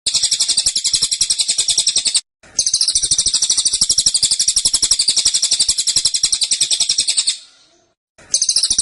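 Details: Cililin in captivity shooting out tembakan phrases, dense and insistent: machine-gun runs of piercing high chirps, broken by two short gaps, the second run fading out before a new burst starts.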